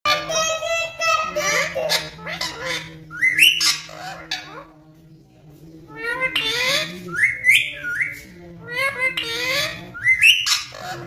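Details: A caged rose-ringed parakeet talks, chattering in short, speech-like phrases mixed with rising whistles and squawks, over a steady background hum of music.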